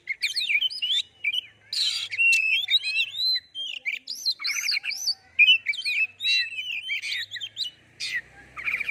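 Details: Kacer or oriental magpie-robin in gacor singing meant to spur other birds into song, with a dense, varied stream of sweet whistled phrases, chattering notes, harsh buzzy bursts and quick slurs, loud and almost unbroken for nine seconds.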